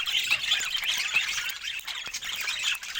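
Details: Budgerigars twittering in a busy run of short, scratchy chirps and thin whistled squeaks, with faint clicks.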